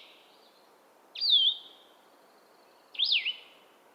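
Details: Blue-headed Vireo song, a bird of the canopy, cheerful and slower than other vireos: two clear, slurred whistled phrases about two seconds apart, each swooping up and down, over a quiet background.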